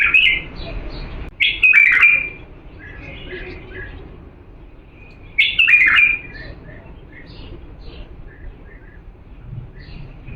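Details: Authentic Diyala bulbul song for training chicks: a loud, fluty warbled phrase at the start and another near five and a half seconds, each trailed by softer twittering notes, with a faint background hum.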